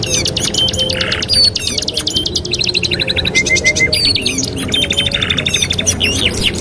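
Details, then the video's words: Canary master song for training, alternating fast rattled trills, buzzy low rolls and a few bright short whistles, the phrases shifting every second or so over a faint low hum. "TERAPI MASTERAN KENARI 2 IN 1 | CANARY SINGING"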